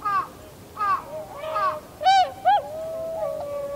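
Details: Tundra swans in winter, filmed on 7 February 2015, calling as a flock: a series of mellow, hooting honks, several bugled notes with rich overtones, some rising then falling, spaced irregularly over a few seconds.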